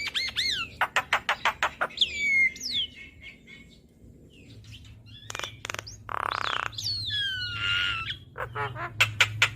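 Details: Chatty Javan myna used to tutor cage birds: a burst of rapid clicks, long falling whistles, scratchy harsh notes and brief chatter.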